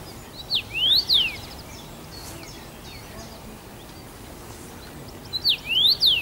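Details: Common rosefinch, first-summer male singing at Bazel, Belgium, 7 June 2015: two identical whistled phrases about five seconds apart, each of quick slurred notes rising and falling, with quiet gaps between.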